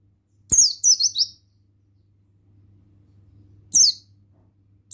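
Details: Male buxtoni Oriental white-eye singing in wild style, high thin slurred whistles sliding downward, given in a quick run of three notes and then a single note after a pause, over a faint low hum.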